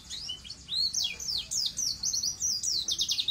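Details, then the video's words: Singing white-eye (pleci), recorded as a master track to get untrained birds singing quickly: sharp, high down-slurred whistles strung into a quickening chatter of rapid twittering notes. "pleci gacor dor || cocok untuk masteran pleci agar cepat buka paruh"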